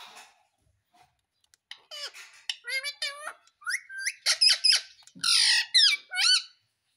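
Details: Pet Indian ringneck parrot, a talking parrot, chatters in fast, uneven bursts of short squeaky, bending notes, about two per second, ending in a harsh screech and a rising whistle.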